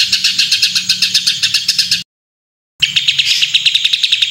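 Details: Harsh, crowded trills from a white-rumped shama in a full rough-phrase song, rapid notes chattering steadily, a brief gap, then another loud rattling burst.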